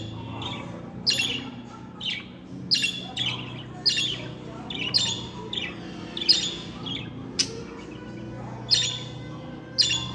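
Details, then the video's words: Talking budgerigars chirp steadily, each note a sharp scratchy squawk, about one every second or less, with faint softer twitters between them and a low room hum. "KONUŞTURMA MUHABBET KUŞU SESİ 2022 - KONUŞAN MUHABBET KUŞLARI ÖTME SESİ"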